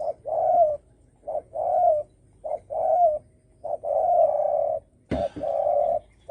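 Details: Spotted dove calling to provoke rival birds, repeated pairs of a short coo and a long steady coo, low and mellow, with one sharp knock near the end.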